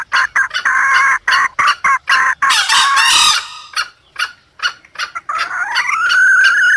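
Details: Lure sound for wild junglefowl: quick clucks and sharp clicks, a brief harsh, noisy burst, then a drawn-out note that climbs steadily toward the end.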